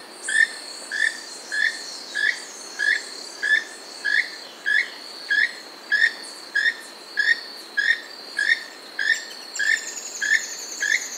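Keel-billed Toucan giving dry, creaking croaks in a steady series, about one and a half per second, over a constant high insect buzz.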